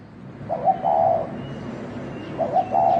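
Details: Spotted dove, thổ đồng type, fighting: two low stuttered coos about two seconds apart over a steady background hiss and faint low rumble.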